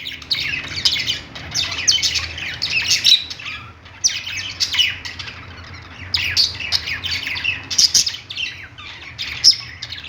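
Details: Budgerigars on a perch in a pet store chatter in a fast, scratchy, high warble of squawks and chirps that swells in bursts about every two seconds, over a faint low hum.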